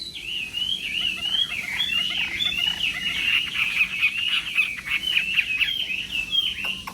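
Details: Chinese hwamei singing in a contest style during morning voice training: a continuous, slightly rough warble of rapid whistled notes over a steady background hiss.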